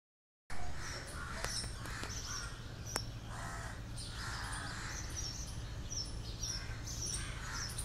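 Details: House crows give harsh, nasal caws in irregular bursts, several overlapping, over a steady low rumble of traffic or wind; a few crows attacking a mating pair to prevent their mating.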